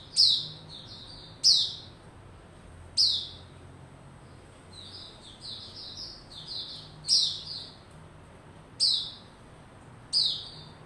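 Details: White-rumped shama kept in a cage, building form and singing on 27 December 2021; piercing falling whistles repeat every one to two seconds, linked by quieter rapid warbling phrases at a slightly lower pitch, faint low background hum.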